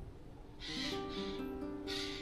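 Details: Eurasian jay in Hatfield Forest, Essex, UK, giving an alarm call of three harsh, rasping screeches in about two seconds over steady background music. Something nearby, perhaps a bird of prey, fox, stoat or owl, is suspected.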